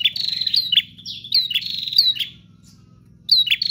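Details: Energetic prinia song made of quick runs of buzzy, slightly rising chirps. The phrases come in bursts, then a silent gap, then a fresh burst begins. A constant low hum is in the background.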